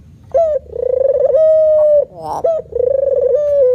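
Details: A male puter, or spotted dove, gives a vigorous manggung coo. A sharp clipped note leads into a rough, vibrating coo that flattens into a smooth held tone. A brief rustle comes before the next coo begins.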